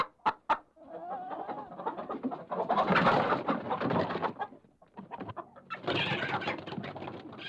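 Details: Chicken about to be caught inside a coop, squawking in alarm; harsh, noisy cackles and screeches in dense bursts, a loud agitated stretch around three seconds, with flapping and scuffling in a small enclosed space.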